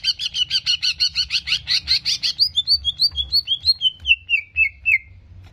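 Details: Greater green leafbird singing in a recording meant to stir aggression: a fast, steady string of loud, harsh doubled notes for two seconds, then a series of short, clear whistles that step gradually downward.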